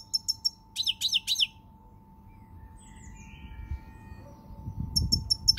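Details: Goldfinch singing on 20 March 2020, with brisk twittering phrases of high, clipped notes at the start, a quiet gap with a few soft slurred notes, then another tinkling burst, all over low rumbling noise.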